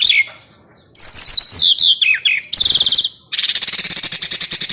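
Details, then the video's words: Bird song from a master recording meant for training contest birds: varied high whistles, a wavering trill, descending slurred notes, then a fast, dry pulsed rattle at the end. "MASTERAN BURUNG MEWAH TERBARU, FULL DURASI TEMBAKAN"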